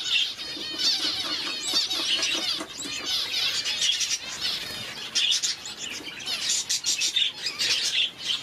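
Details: Busy high twittering and chirping from several parrot finches, red-faced and blue-faced, nearly continuous, mixed with wing flutters and clicks.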